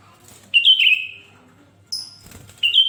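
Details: Sooty-headed bulbul in lively song, used to set other bulbuls singing: short clear whistled phrases, one sliding downward and fading, then two brief higher notes after pauses, over a light background hiss.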